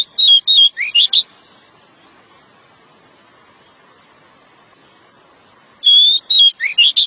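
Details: Pied bushchat song, long song given to lure the female: two bursts of short, clear whistled phrases, some sliding up, separated by about four and a half seconds of silence.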